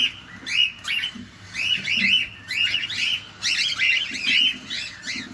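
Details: Cockatiel, a caged companion parrot, calling while feeding, seen close up: bursts of bright chirps and arched, warbling whistled notes, several in quick clusters with short pauses between.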